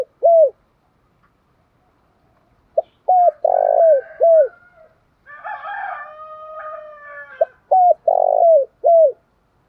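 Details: Singing spotted dove, "thổ pha đồng" voice style. A lone coo, then two full phrases with short notes, a rolling purr and a falling last note. A rooster's long crow sounds between them.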